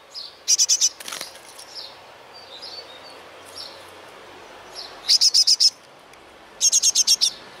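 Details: Great tit family with ten chicks, reared by male and female in a trash-bin nest. Bursts of four to six sharp, very high chirps in quick series recur three times, with a brief flutter of wings and soft background chirping.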